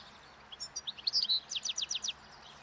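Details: European goldfinch, wild, singing its spring breeding song while eating roadside thistle seeds; a rising flurry of chirps, then a run of five or six rapid sweeping downslurred notes.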